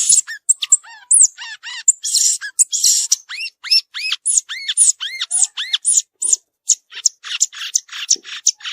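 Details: Violaceous euphonia singing in the wild: a long, rapid run of high notes, many arched and sharply down-slurred, mixed with buzzy, scratchy bursts, delivered almost nonstop at several notes per second with no other sounds.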